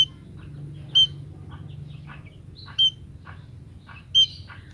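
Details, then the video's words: Luring call of a female munia aimed at males: three bright, piercing high notes spaced roughly one and a half seconds apart, with soft chirps between them over a low steady hum. "emprit pejantan langsung datang setelah tahu suara emprit betina ini"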